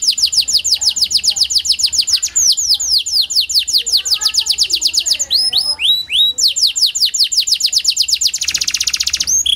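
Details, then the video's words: Kenari panda (a canary) singing as a lure for canaries reluctant to sing; long runs of rapid downward-slurred notes with looping phrases, ending in a dense buzzy trill. "Pancingan Kenari Panda AMPUH, Membuat Kenari Malas BUNYI Jadi Bunyi"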